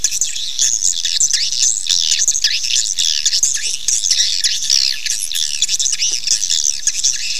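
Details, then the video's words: Swiftlets calling, a recording meant to draw the birds to nest fast: an unbroken flock chorus of shrill chirps, rapid twitters and wavering trills, dense and busy from start to finish. "SUARA PANGGIL BURUNG WALET"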